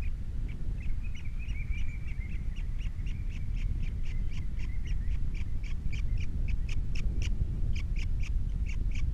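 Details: Wild ospreys at a nest with three chicks on a Captiva nest camera, 21 February 2022: a long series of short, sharp, rapid chirps, some with a thin whistled tone between them, over heavy low rumbling wind.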